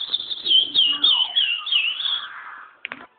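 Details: Chestnut-bellied seed finch, a curió sitting loose on a person's hand, gives a flowing whistled warble that wavers and slides downward, ending with two short clicks.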